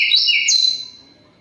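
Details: Hill blue flycatcher, still singing while in moult, delivers a rapid trilled whistle that gives way to a long clear note fading away.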